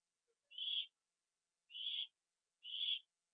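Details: Owl at a nest on the evening of September 24, 2011, during a food delivery eaten on the roof; three drawn-out, breathy hissing screeches, each about half a second long, spaced just over a second apart.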